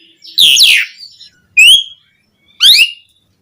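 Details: Asian pied starling lure song for caged birds: a harsh, wavering squeal followed by two separate clear upsweeping whistles spaced about a second apart.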